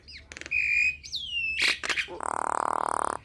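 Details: Nias hill myna singing vigorously: a rising-and-falling whistle, a steady high whistle, then a sweeping downslurred note. It ends in a long, harsh, buzzy rasp with a pulsing texture.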